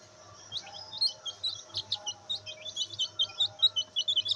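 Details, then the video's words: Black bantam chicks enjoying sunlight, several peeping together: short high chirps, many sliding downward, tumbling over one another in a quick irregular stream that grows steadier after the first half-second, with a low steady hum underneath. "Black Bantam Chicks |Chicks Chirping Sound"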